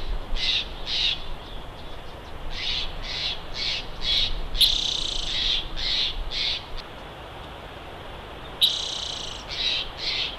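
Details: Bald eagle calling at the Big Bear nest on a live nest camera: rapid runs of shrill, high piping notes in uneven bursts, with a couple of longer, stronger squeals breaking the series.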